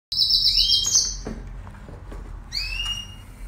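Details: Red siskin recorded in 2019 sings a high twittering phrase with a buzzy trill and an upward slurred note, pauses briefly, then adds another clear rising slur.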